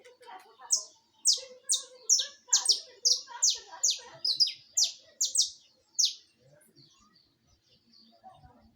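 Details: Saffron finch song: a rapid series of about fourteen high, sharp, descending chirps delivered over six seconds, each note clear and separate, ending in quiet with faint low background noise.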